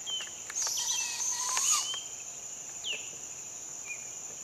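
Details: Begging call of a Barred owl fledgling at sunrise: a coarse hissing rasp about a second and a half long, followed by several short, downslurred chirps from other birds. Insects hum steadily in the background.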